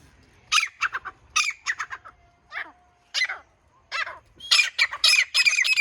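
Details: Grey francolin calling: harsh, broadband squawking notes in uneven bursts, some short and clipped, others ringing, with brief quiet gaps between groups and a dense run of loud notes at the end.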